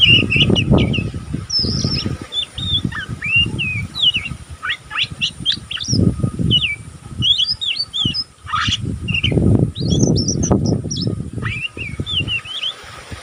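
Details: Oriental magpie-robin youngster still learning its song, chattering continuously: rapid strings of thin chirps, short whistled slurs and clicky notes in quick succession, with recurring low rumbling noise underneath.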